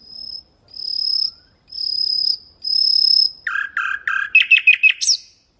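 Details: Common nightingale song used to tutor goldfinches and canaries: four long, pure high whistles swelling in loudness, then a run of lower repeated notes rising into a rapid, bright final flourish.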